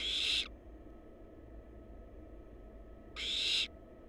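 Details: Barn owl babies, wild, inside a research nest box on a live camera, give two broad, noisy hissing bursts about three seconds apart, each roughly half a second long, against a constant low background hum.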